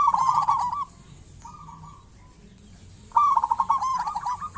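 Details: Zebra dove of the local type, singing eagerly as a lure bird: a fast stuttering coo phrase, a long quiet gap with faint cooing, then another loud rolling burst.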